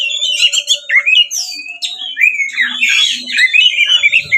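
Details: Oriental magpie-robin (kacer) in loud 'ngeplong tarung' fighting song, used to provoke rival magpie-robins into answering and spreading their tails: a dense, unbroken run of varied whistles, chatters and harsh squawky notes, with a faint steady low hum underneath.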